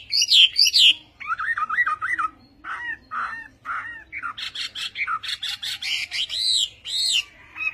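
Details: Chinese hwamei (họa mi tây) giving Vietnamese-style song: loud opening whistles, then repeated wavering phrases and short notes, finishing in dense, rich high whistling.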